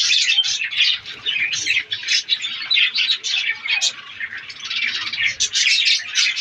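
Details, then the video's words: Budgies, Australian parrots, in a breeding colony in breeding season twitter and chirp in rapid overlapping bursts, a bright continuous chatter of many birds. "australian parrots budgies ke birds colony"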